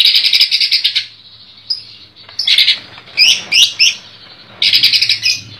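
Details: A kept greater green leafbird in Comal, Pemalang, pours out dense, high chattering bursts with quick slurred notes: three rapid outbursts about two seconds apart with short pauses.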